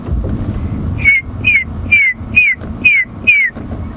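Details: Red-crested korhaan giving its mating call, fairly close, on an afternoon safari drive at Djuma Game Reserve on 11 January 2016: six clear, downslurred piping whistles about half a second apart, over a low engine rumble.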